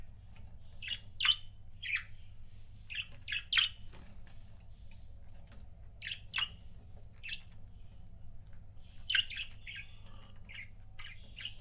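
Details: Pet budgerigar couples chirping: clusters of bright, sharp tweets in quick pairs and triplets, with short pauses between bursts, over a steady low background hum.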